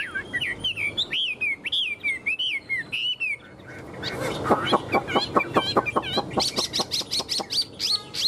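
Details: A caged, hand-tame Chinese hwamei clinging to the bars while displaying its wings and tail sings looping whistles, then breaks into a fast stuttering rattle of clicks that ends in high, sharp notes.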